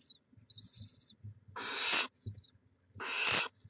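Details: Barn owls at a nest in Chula Vista, California, filmed by a live cam in May 2017: loud raspy hisses rising in strength, with softer wheezy hissing before them and light knocking sounds.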